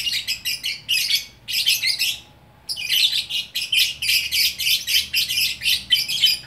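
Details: Lovebird recorded at Bukittinggi, West Sumatra, giving rapid high chittering in fast pulsed bursts; a brief silence of about one second splits two runs of dense, repeated buzzy notes.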